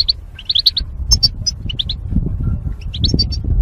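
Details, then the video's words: Goldfinches kept in cages as mating pairs, separated by wire barriers, heard in a song-training recording: a tumbling run of chirps opening the clip, then spaced high notes and short twitters over steady low noise. "Goldfinch Chirping Sounds"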